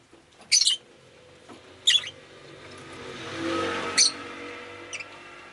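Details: Pet rosy-faced lovebird chirping on a rainy day: three sharp, shrill bursts and a small final chirp, while a vehicle passes by in the street in between.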